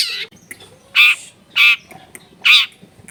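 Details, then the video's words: Long-tailed shrike recorded in a crowded residential area as a stimulus for a reluctant shrike to sing; three loud, grating squawks spaced about three-quarters of a second apart, with faint clicks between. "CENDET GACOR SOLUSI PANCINGAN BUAT CENDET MALAS BUNYI"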